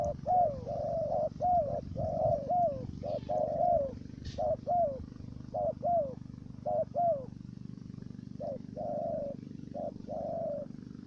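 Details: Stuttering first-note cooing from a decoy dove used for trapping wild doves in Cà Mau, Vietnam: paired mellow falling coos repeated roughly every second, a steady low background drone throughout.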